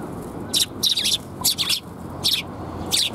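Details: Sparrows gathering for food at a Tenmangu shrine in Japan on 10 April 2021 give a lively run of sharp, high chirps, some doubled or tripled in quick bursts, over faint low background noise.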